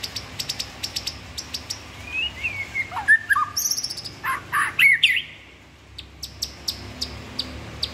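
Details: White-rumped shama mixing sharp clicking ticks with a short series of slurred whistles and harsh buzzy notes, then returning to spaced dry clicks.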